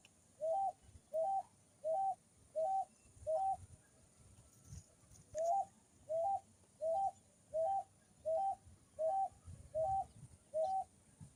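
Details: Singing picui ground dove gives a steady run of low, two-part cooing notes that rise and fall, spaced evenly under a second apart. There is one brief pause midway, then about fifteen notes in all over quiet background.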